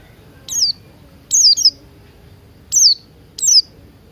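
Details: Buxton's white-eye singing in the morning, used as a lure to get other birds singing: four bursts of thin, high, sharply descending whistled notes, some doubled, spaced about a second apart over quiet background.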